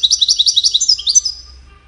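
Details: Rhythmic, bubbling twitters from a European goldfinch, about a dozen quick liquid notes in a row, then a few thinner, higher slurred whistles that trail away into quiet.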